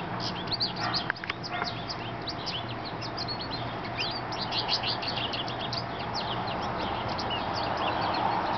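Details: Male American goldfinch singing from a birch tree in a residential neighbourhood in summer; a long, rapid, continuous run of high twittering and chirping notes with no pauses, over steady background hum.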